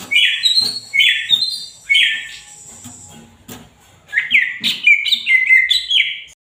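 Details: Greater green leafbird singing busily, loud slurred whistle phrases about a second apart, a quieter gap, then a dense rapid sequence of rising and falling notes with a few clicks.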